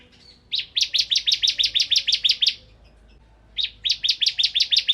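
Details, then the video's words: Bar-winged prinia (ciblek kristal) delivering nembak ngebren song: two rapid series of sharp, high, clipped notes, roughly a dozen each, split by a short silence. "Suara Burung Ciblek Kristal Gacor"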